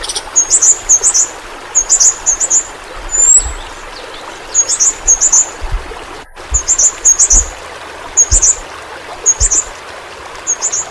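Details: Yellow-rumped flowerpecker, a Kalimantan endemic, singing for pet-bird song training: clusters of piercing high twittered notes repeated in short bursts, one thin sliding whistle, a brief dropout midway, low hiss throughout.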